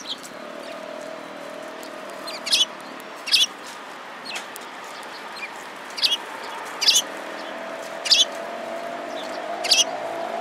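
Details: Sparrows gathering at feed at a Tenmangu shrine on 11 January 2017: sharp, high chirps spaced a second or so apart over a steady low drone and faint background hum.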